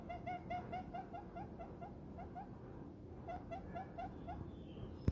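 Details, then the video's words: Pet diamond dove, described as happy, nestled in a person's palm, giving short soft coos: rapid runs of brief tonal notes, about five per second, in two bouts separated by a pause, over a low steady background rumble. "diamond dove happy short coos"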